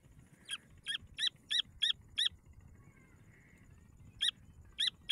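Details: Grey francolin chicks giving rapid runs of sharp, high chirps, about three a second. A brief pause holds a faint thin tone before the chirping resumes.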